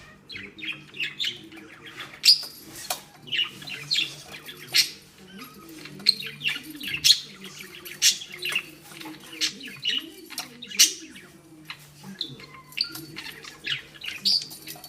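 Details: Female budgerigar at play, cross because the tied ball will not come off, keeps up a long stream of scratchy chirps and squawks at a brisk, uneven pace. A quiet low hum runs underneath.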